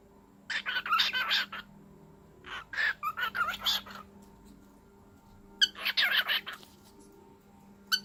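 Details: Pet cockatiel, excited while playing with its new food bowl indoors, giving harsh raspy chattering bursts in three rapid clusters of scratchy notes, separated by short pauses, over a steady low electrical hum.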